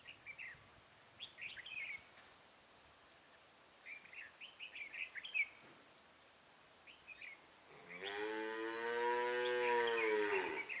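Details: Decoy red-whiskered bulbul luring wild birds toward a trap, 23 October 2017. Short clusters of sharp chirped notes are repeated in three bouts, then a cow lows loudly and long at the end.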